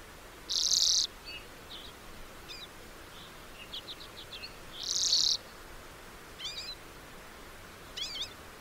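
Lesser redpoll giving two harsh, buzzy rasps about four seconds apart, with quick dry chattering notes and thin twittering between them.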